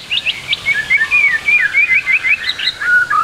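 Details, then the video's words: White-rumped shama song from a training recording meant to make young trotol shamas sing. Bright whistled phrases, short slurred notes repeated about every quarter second, with brief lower whistles near the end. "MASTERAN MURAI BATU TROTOL AGAR CEPAT BUNYI, MURAI BATU FULL ISIAN"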